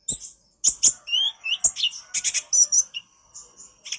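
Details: Chattering konin song for a bird-training master: a few sharp clicks open, then a quick string of high chirps and short rising whistles, trailing off into softer thin notes.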